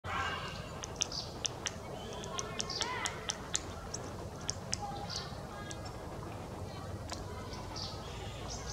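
A Kashmir nuthatch hammers like a woodpecker: sharp, irregular taps, about a dozen in nine seconds, some in quick pairs, over a low background rumble.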